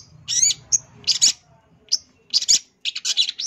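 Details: Champion long-tailed shrike (cendet) in full 'isian' song, a tutor recording for other birds: irregular high, harsh bursts and short whistled notes with gaps, over a faint low hum at the start.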